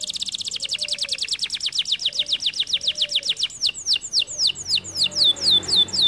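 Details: Canary singing: a fast run of repeated high sweeping notes at about four per second, speeding into sharper descending chip notes that turn back upward near the end.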